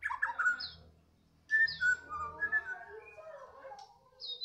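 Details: Afternoon song of a Medan-type White-rumped shama: loud slurred whistles and sweeping notes in bursts, separated by a short quiet gap, with a faint low hum behind.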